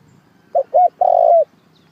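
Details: Trapping-lure call of a spotted dove: two short soft coos followed by one long, steady hollow coo ending with a slight upward curl, over a quiet low background hum.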